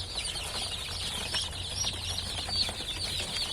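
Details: Newly emerged chicks produce a rapid, shrill chorus of peeps, with individual high cheeps poking out of the dense overlapping calls over a continuous low hum.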